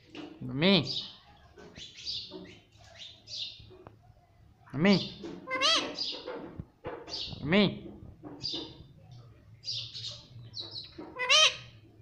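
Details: Parrot kept as a pet and said to speak mummy and papa: repeated drawn-out, meow-like arched syllables resembling 'mami', mixed with short high chirps and raspy squeaks.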